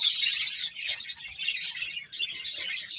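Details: Finches chirping while eating, a dense chatter of high, rapid twittering notes with short bright whistles running on without pause.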